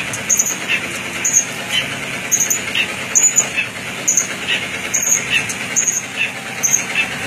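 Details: Serkele bird repeating brief high-pitched whistled notes at a fairly steady pace, roughly one every second, with softer lower notes between them, against constant broadband hiss.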